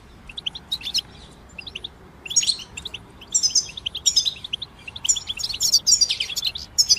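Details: European goldfinches in group song: sparse high twitters at first, then increasingly dense bursts of bright tinkling notes and buzzy trills over a faint background hiss.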